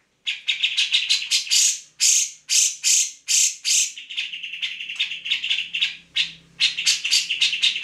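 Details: Grey-cheeked bulbul singing vigorously, a training recording for magpie robins and green leafbirds: after a short silence, loud rasping notes repeat about twice a second, then a quicker scratchy chatter, with a faint low hum behind.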